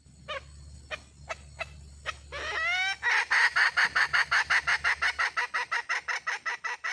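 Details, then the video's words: A red junglefowl hen gives a few spaced clicks, then a rising strained note. This runs into a fast, steady series of short, harsh clucking notes, about three per second, over a low steady hum. "suab poj qaib quas zoo"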